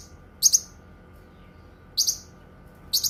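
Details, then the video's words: Cucak kinoi uttering three separate doubled high chirps, spaced more than a second apart, against quiet background. "Suara Kicauan Burung Cucak Kinoi"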